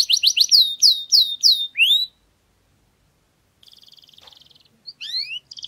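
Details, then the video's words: Canary singing in a garden: rapid series of bright downslurred whistled notes repeated in bursts, a pause, then a buzzy trill and more rising slurred notes. "Canario cantando en el jardín"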